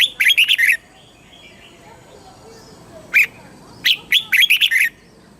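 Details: Red-whiskered bulbul kept caged in Thailand, song in the southern master style for exciting birds and training young: a fast six-note warbled phrase, a lone chirp, then another bouncy run of about seven notes.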